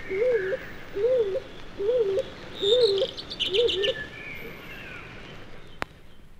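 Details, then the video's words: A shy stock dove in a British woodland, singing February to early July, gives its musical, not loud song: five soft, low, wavering double coos less than a second apart, with fainter bird calls behind. "The shy stock dove has a musical, not loud song that fits the woodland scene very well and is quite persistent from February to early July."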